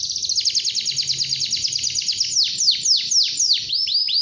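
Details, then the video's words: Canary song used to prompt young canaries to start singing: a fast, rolling high trill of short repeated notes that slows into separate loud downward-swept whistles near the end. "kenari gacor panjang | Memancing kenari muda agar cepat gacor"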